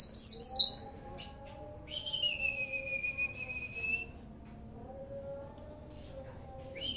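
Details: Oriental white-eye delivering a song filled with CiLiLin, bren and cigun phrases: a quick high zigzag trill opens, then a long steady thin whistle holds for about two seconds, followed by quieter stretches and a brief rising note.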